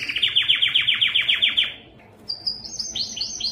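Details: Rapid series of about a dozen downward-slurred notes from a yellow canary, a short pause, then a higher run of quick rising chirps.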